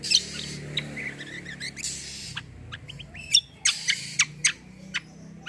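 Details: Cucak kombo song meant to set other birds singing; varied quick twitters and slurred notes, then loud, sharp, high single chips in an irregular series over background hum.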